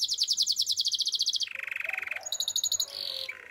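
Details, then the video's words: Canary in song, named as a Russian canary: a high rapid pulsed trill, dropping to a lower rolling trill, then a thin high whistled run and a short descending buzzy phrase. "Canary birds chirping - Russian canary song"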